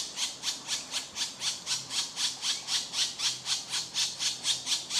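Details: Hungry woodpecker chicks beg as their mother feeds them, with harsh, raspy hissing bursts, about four each second in a steady pulsing rhythm, with no other sounds.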